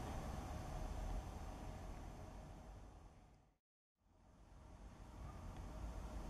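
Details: Constant low rumble and hiss that cuts to a brief silence midway, then resumes, with no animal calls.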